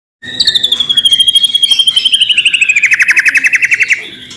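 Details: Singing white-rumped shama used to provoke another shama to sing: a long whistle sliding downward turns into a rapid, buzzy rattling trill of fast repeated notes.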